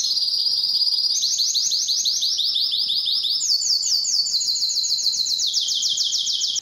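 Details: Belgian canary song meant to stimulate females for mating: an unbroken chain of rapid rolled trills, each section stepping up or down in pitch, with dense, bright, metallic texture.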